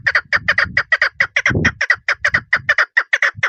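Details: Female chukar partridge calling, a rapid series of short, harsh clucking notes repeated a little over twice per second in an uneven rhythm, with a brief low rumble midway through.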